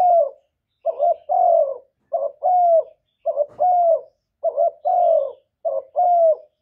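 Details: Spotted dove cooing, recorded close and clean in Vietnam as a call to stimulate other doves. A steady run of paired notes, each a short stuttered coo then a longer mellow, slightly falling coo, about one pair every 1.2 seconds.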